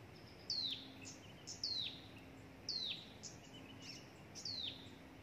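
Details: A hill prinia chick in the nest, which nearly died after its parent brought it a gecko and a grasshopper, gives high, thin chirps sliding downward, about once a second, over a faint low hum.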